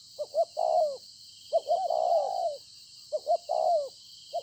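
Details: Spotted dove, a field-caught decoy bird, recorded at Konlong on 26 September 2020, cooing: two short clipped notes then a long, slightly descending coo, repeated about three times, over a steady high hiss.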